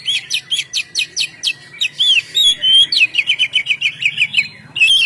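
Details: Oriental magpie-robin (kacer) singing in the loud ngeplong style, used to lure birds: rapid high whistled and chattering phrases, including sweeping slurred notes and fast trills, repeated without pause.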